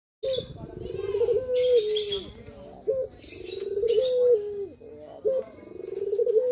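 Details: Male Barbary dove giving its manggung cooing, played to build up other doves' confidence: a short clipped note followed by a long rolling, pulsed coo that swells and holds steady, repeated three times, with chirpy bursts from other small birds overhead.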